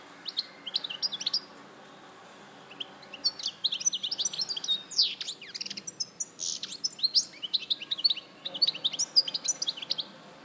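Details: European goldfinch from Larache, 2014, singing a fast run of twittering, chirpy notes with short tinkling trills and sharp upward slurs, delivered in bursts with brief pauses.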